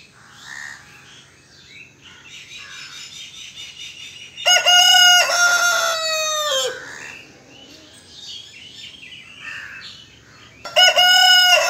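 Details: A rooster crows loudly, a long harsh cock-a-doodle-doo with a rich layered tone falling at the end, followed by softer background calls and the start of a second crow.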